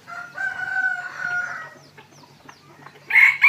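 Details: Red junglefowl in the evening at a place keeping decoy fowl: a drawn-out harmonic crow-like call lasting over a second, faint chirps in between, then a loud harsh call burst at the end.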